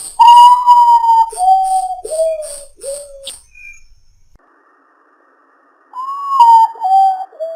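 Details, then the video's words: Midnight song of the urutau, a nocturnal ghost bird (Common Potoo): four sad whistles falling in steps, then silence, then the same descending phrase starts again. "SOUND OF URUTAU AT MID NIGHT GHOST BIRD FROM THE SINGING SCARY SINGING OF URUTAU"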